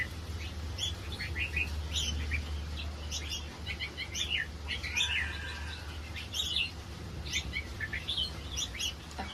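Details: Hybrid-line red-whiskered bulbul bred for song contests, giving a busy stream of quick chirps and short warbled phrases throughout, over a steady low hum in the first part.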